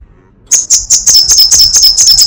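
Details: Short burst of crecetan song from a sunbird: a few spaced high ticks that quickly speed up into a tight run of piercing chips.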